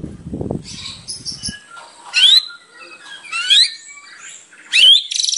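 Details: White-rumped shama singing actively in a full, varied song used as a lure to get other shamas singing: a low rumbling noise at first, then three loud, sharp rising whistles about a second apart.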